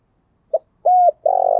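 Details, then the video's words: Spotted dove, calling in giọng thổ voice to urge decoy doves on: a brief note, a steady even coo, then the start of a pulsing, trembling purr, in a quiet setting. "cu gáy kích bổi nhanh nổi giọng thổ"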